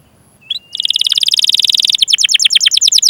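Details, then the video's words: Canary in long rolling song, used to coax other canaries to sing: a brief whistle, then a rapid buzzy trill of high notes that slows into distinct downward-sweeping chirps. "Masteran Suara Burung Kenari Gacor Panjang cuit cuit Ngerol untuk Pancingan Kenari!"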